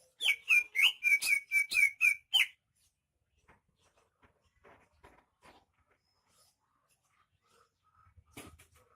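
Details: Greater green leafbird from Banyuwangi, described as rare and singing vigorously (gacor): a quick burst of about nine harsh, ringing repeated notes lasting two and a half seconds, followed by near silence with faint scattered ticks and a short knock.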